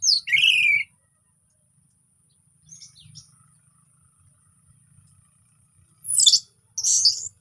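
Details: Orange-headed thrush in relaxed song, meant to lure silent birds into singing; a short bright phrase of slurred whistles, a long near-silent gap with faint notes, then two dense high bursts.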